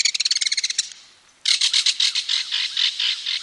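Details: Belted kingfisher, Wisconsin, giving its loud rattle: a fast series of clipped notes for one second, a half-second pause, then a longer, harsher run of grating notes.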